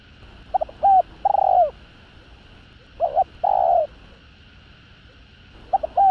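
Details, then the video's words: Cooing spotted dove, part of a full calling, urging and cooing sequence meant to excite males: three phrases, each a quick stutter of short notes ending in a long, falling, hollow coo, separated by pauses. "Tiếng Cu Gáy Giọng Hạp BổI Đủ Bài [ GÁY GỌI + THÚC + GÙ ] Kích Bổi Nhanh Nổi"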